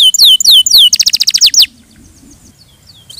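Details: Canary song: a few loud down-slurred whistles, then a rapid series of high clipped notes and a falling sweep, ending in near silence with faint distant chirps.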